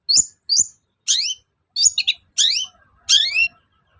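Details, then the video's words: Long-tailed shrike, used as a lure sound to make other shrikes agitated and answer with song: about seven harsh, high, downslurred chevron notes, first two close, then spaced bursts roughly every half to one second. "SUARA PANCINGAN BURUNG CENDET AGAR EMOSI & NYAUT GACOR"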